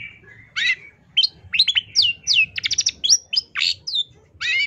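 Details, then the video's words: Cendet, or long-tailed shrike, in 'tembakan' master song for tutoring songbirds: a dense string of high, clipped notes, buzzy rattles and swooping downward whistles delivered almost without pause, with a faint low hum beneath. "MASTERAN CENDET TERBAIK SEPANJANG MASA FULL TEMBAKAN MATERI ISTIMEWA"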